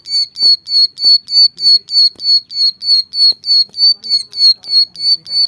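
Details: Energetic bar-winged prinia (ciblek sawah) recorded as tutor material for birdkeepers: evenly spaced, ringing high chips repeated about three times each second without pause, with occasional faint low taps behind.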